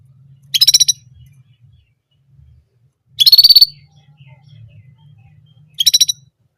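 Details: Orange German canary repeating one song phrase three times: brief, loud, high, rapidly pulsed trills about two and a half seconds apart, with a steady faint low hum underneath.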